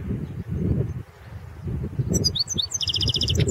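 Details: European goldfinch singing in a 2016 world championship goldfinch song competition recording: a short burst of high twittering notes followed by a rapid run of repeated buzzy notes, over heavy low rumbling background noise.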